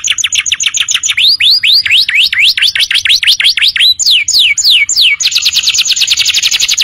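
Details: Canary tutor song for training birds: short high chips, then a run of rising hooked whistles, a few falling slurs, and a fast, even, buzzy trill at the end.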